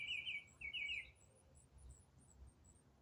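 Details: Songbird singing in autumn, two fast buzzy trills with zigzag notes, then a pause filled only by quiet background hiss.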